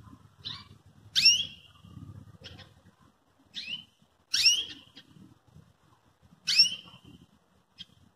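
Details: Belgian canary calling to provoke and train another canary to sing: three loud, sharp downward-sweeping tweets, each roughly two to three seconds apart, with softer short notes between and a low rumble underneath.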